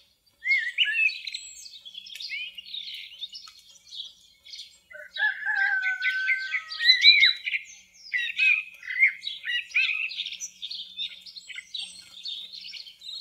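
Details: Common blackbird (Turdus merula) singing varied phrases, including a mellow fluted section in the middle, mixed with faster scratchy twittering notes through most of the recording.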